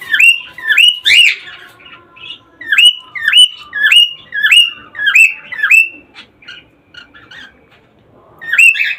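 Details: Cockatiel song meant to prompt pairs to breed: a series of rising whistles, each ending on a level tone, given in a run of about eight, then fainter notes and a short gap before another whistle.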